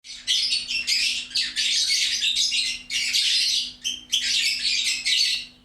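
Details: Lovebird chattering loudly and busily: dense, harsh, high-pitched bursts of rapid twittering and squeaky notes, nearly continuous with short breaks, over a faint steady low hum.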